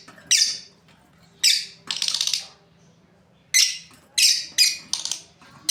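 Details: Lovebirds, a breeding pair, give loud grating chirps and one longer rasping squawk, then a two-second pause before a quick run of further chirps.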